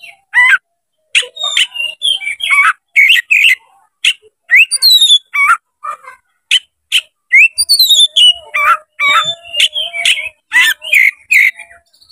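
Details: Oriental magpie-robin (kacer) spreading its tail, singing loudly to provoke a rival to fight: a long varied run of whistled notes, slides and harsh chatters, delivered in quick phrases with brief gaps throughout.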